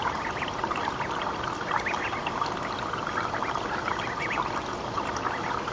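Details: Young mallard ducklings, 29 days old, raised with their mother in a public school courtyard in spring, with food and a swimming area provided; rapid, overlapping short peeps chatter continuously over a steady rush of pouring or running water.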